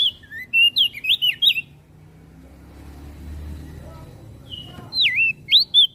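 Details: Javan grey-throated white-eye in full song, said to stir other birds into singing: quick bright whistled notes swooping up and down, a burst of about six notes, a quiet gap with low rumble, then another wavy whistled phrase.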